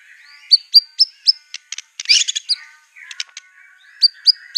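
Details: Brief stretch of white-rumped shama song carrying canary, cililin and cungkok imitations: sharp downslurred whistles in a quick series, a noisy harsh burst midway, then more ringing downslurred notes.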